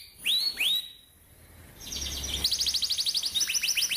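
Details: Canary song for training young canaries: two loud rising whistled slurs, a short quiet gap, then a fast buzzy roll breaking into rhythmic swept chirps about three per second.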